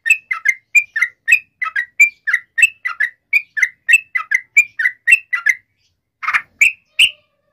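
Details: Sooty-headed bulbul in lengthy lively song, used as a lure for others of its kind: quick series of whistled chirps rising and falling, then a pause and a couple of harsher, louder notes.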